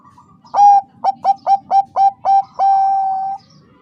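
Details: Female Bangkok zebra dove calling the male to raise his breeding urge: a burst of quick staccato coos repeated about every quarter second, ending in one long, steady, drawn-out coo, with a faint low hum behind.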